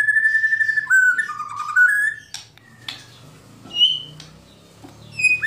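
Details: White-rumped shama (murai batu) singing kretekan and tembakan: sustained whistles dipping and rising, scattered sharp clicks, then isolated clear notes after quiet gaps over a low hum.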